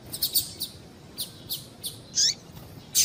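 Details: Brief high chirps from a female double-collared seedeater, used to rouse males into song: quick thin notes spaced under a second apart, with one slurred downward call near the end.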